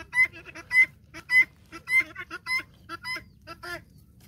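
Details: Farm-kept guineafowl following a hen, repeating loud grating two-part calls at a steady fast rhythm, each with a shrill upper edge.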